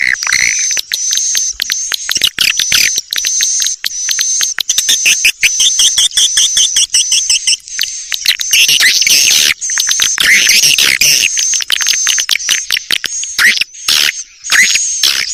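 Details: Lure call for swiftlets, a long stream of fast, clicky twitters and chirps, packed tightly together, with a continuous high-pitched tone held underneath the whole time.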